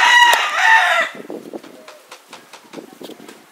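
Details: Two roosters in Puerto Rico in winter 2014, clashing with each other near a cock fight. A loud, harsh, harmonic crow lasts about one second, followed by faint scattered clicks and taps.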